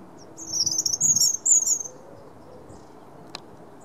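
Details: Robin singing on 9 March 2017, a very high, thin, wavering warble for about two seconds, followed by silence broken by a single sharp click.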